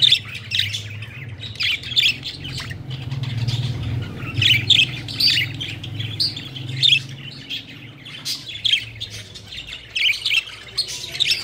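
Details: Playful pet budgies fluttering and flying around, chirping in bursts of quick squeaky notes and warbles, several birds overlapping, with a low rumble in the background during the first half.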